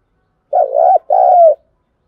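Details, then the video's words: Decoy spotted dove cooing to draw wild doves: a clean pair of low, throaty coo phrases, the first wavering, the second smooth and slightly falling. "Tiếng chim cu gáy kích bổi nhanh nổi, Tiếng cu gáy mồi thúc luyện bổi"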